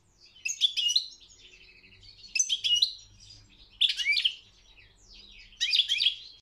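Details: European goldfinch at a world singing championship, giving four bursts of bright, jangling twitters and buzzy chirps roughly every one and a half seconds, with soft twittering between them.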